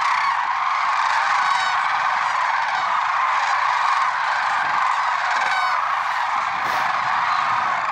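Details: Early-morning flock of lesser sandhill cranes, Merced National Wildlife Refuge, February 6, 2023, calling together in a continuous wall of overlapping rattling trumpet notes with no pauses, faint low rumbles beneath.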